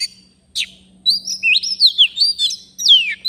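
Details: A wild Oriental magpie-robin, a forest bird responding to a trapping lure, sings a rapid run of varied whistles, with slurred rising and falling notes and sharp chirps, over a faint steady low hum.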